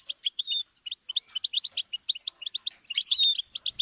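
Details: Rapid goldfinch twittering played as a song-learning stimulus for cage songbirds: nearly four seconds of quick, evenly spaced high chirps with a few drawn-out whistled notes near the start and a buzzy slurred phrase late on.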